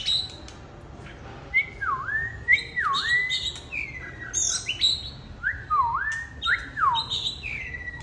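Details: Black-and-white oriental magpie-robin singing and displaying, giving clear whistled notes that dip and rise again, repeated in phrases with higher chirps mixed in.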